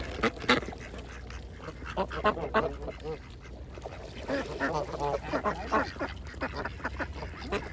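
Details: Many ducks feeding at a pond produce a rapid chatter of overlapping quacks and clucks, busiest in the second half. A low steady hum lies underneath.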